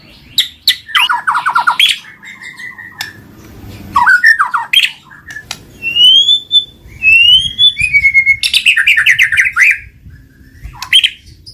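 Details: Loud, varied singing from a white-rumped shama, meant to prompt a silent shama to respond in song. Rapid chattering bursts alternate with long pure rising whistles, buzzy trills and sharp clicking notes, with brief pauses between phrases.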